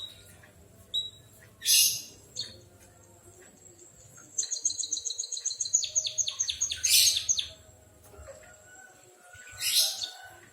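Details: White-headed munia singing actively while imitating a canary: scattered high chirps, then a quick run of bright, descending notes about two seconds long, followed by isolated sharp bursts after pauses.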